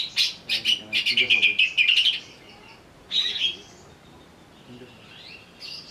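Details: Greater green leafbird provoked to sing in an agitated state: quick bursts of chattering, buzzy notes and a trilled run, then a short harsh phrase and faint sweeping whistles.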